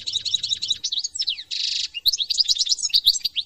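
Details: European goldfinch (Carduelis carduelis) from France singing a fast, tinkling twitter of high liquid notes, broken by a brief dry buzzy rasp midway; nothing else is heard.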